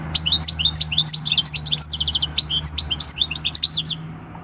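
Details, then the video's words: European goldfinch, a six-year-old wild-type field bird recorded 26 December 2019, singing a fast, tinkling jumble of bright twittering notes with a quick buzzy trill in the middle; faint low hum underneath. "Chant du chardonneret / Goldfinch song"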